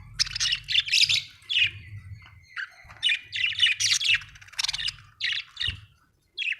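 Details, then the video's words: Budgerigar chirping cheerfully in a steady stream of buzzy, warbling chatter with scratchy clicks and a short level whistle near the middle, pausing briefly before a final burst; low hum underneath. "happy budgie chirping sound"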